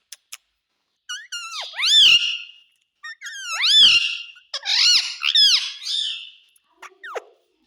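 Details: Talking pet parrot indoors repeating "mummy" and "papa": three bursts of loud, arched, squeaky speech-like calls, each with several rising-and-falling syllables, ending with a short downward squeak.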